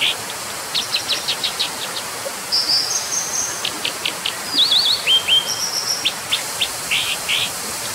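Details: Brown dipper song of rapid high chip series, a thin trill, zigzag notes and buzzy ending notes, continuous rushing hiss behind.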